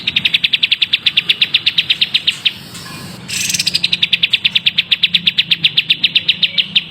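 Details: Long-tailed shrike (cendet) singing vigorously (gacor), as a tutor recording: rapid, evenly spaced sharp high notes about six per second, broken by a short pause and a brief noisy burst, then resuming in the same steady chatter.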